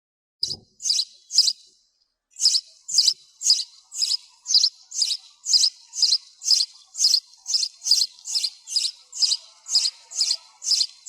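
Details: Sparrow chirping with noise removed: bright, high chirps repeated steadily about twice a second after a brief pause near the start, each a short sharp burst, with no other sounds.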